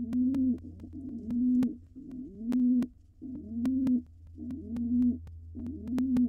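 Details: Courting male pigeon, wild, in a nest box before the pair lays eggs: a steady run of soft, throaty coos, each lasting roughly a second, over a faint background hum and occasional clicks.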